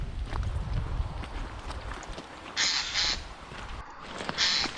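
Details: Eurasian jay in autumn woodland by Upper Roddlesworth Reservoir and Tockholes plantation, with streams nearby, gives two harsh, rasping screeches about two seconds apart, over a low rumble of wind and footsteps.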